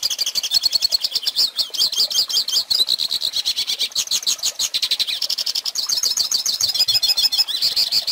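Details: High, fast goldfinch song meant for young birds to copy, a steady flow of chirps, trills and buzzy twitters running the whole eight seconds.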